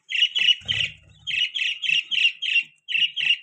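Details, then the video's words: Pet budgie repeating rapid, raspy chirps about three to four per second, with a short stretch of rustling early on. "budgie chirping sound, budgies chirping sounds"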